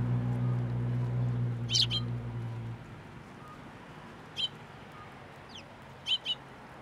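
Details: Sparrows visiting a plum-tree feeding spot at a Tenmangu shrine on 10 July 2024: sparse, sharp high chirps, single or in quick pairs, spaced a few seconds apart; a low hum fades out after three seconds.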